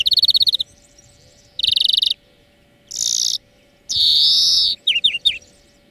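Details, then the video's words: European greenfinch song from a bird-training lesson: two rapid trills, then two long nasal buzzes, the second stretching nearly a second, ending in quick upslurred chirps. "Florya Ötüm Dersi 4 Saat"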